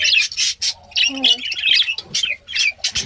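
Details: Several pet budgerigars chattering together: dense, rapid warbling and squawky chirps, bursts stacking over one another with short gaps, plus a brief lower nasal note in the middle.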